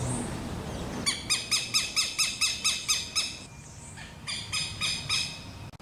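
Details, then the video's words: Southern lapwing (quero-quero) with chicks, giving loud, harsh, strident notes repeated about twice a second in a rapid series, then a brief pause and a second burst. "Quero quero"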